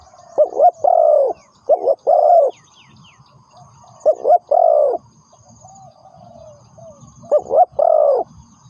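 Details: Spotted dove kept as a lure for trapping coos in four separated phrases, each of short notes then a drawn-out low coo. Faint softer coos and thin high bird chirps can be heard between phrases.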